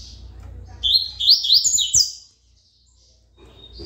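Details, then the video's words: Coleiro performing Tui Tui song: a single bright burst of fast, high, slurred whistles lasting about a second, then near silence. "coleiro Tui Tui bom cantador"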